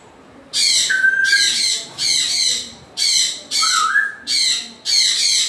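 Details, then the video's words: Grey parrot giving loud, harsh, rasping squawks in a steady series of about six long bursts, one with a sliding whistled tone underneath. "african gray parrot sounds"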